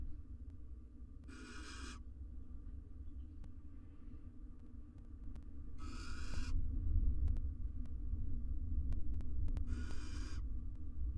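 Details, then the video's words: Male and female barn owl courting near their four nestlings in a wild, camera-monitored nest box; three rough hissing screeches spaced about four seconds apart, over a constant low rumble. "Male and female barn owl court next to their 4 nestlings"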